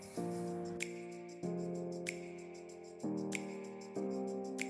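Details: Soft sustained instrumental music with slow chord changes and a brief spray-like hiss every second or so, with no animal calls.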